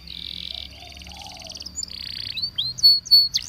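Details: Waterslager canary song recorded for canary training: a buzzy, rattling trill followed by rapid pulsed rolls, then sharp high whistled notes and slurred upward flicks toward the end.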